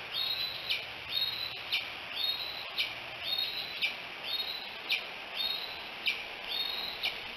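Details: Bald eagle at Decorah, picked up by a live camera on 5 July 2018 in late morning: thin, high whistled notes slurring sharply downward, repeated roughly once a second in a steady series over a constant background hiss.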